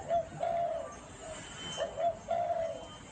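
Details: Spotted dove cooing in the gáy gù manner: two low coo phrases, each a clipped note leading into a longer even hoot, separated by a short pause, over light hiss.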